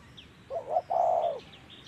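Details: One spotted dove phrase in 'thổ' voice style from a trapping session, two short coos then a long rich coo, while small birds chirp faintly in high notes.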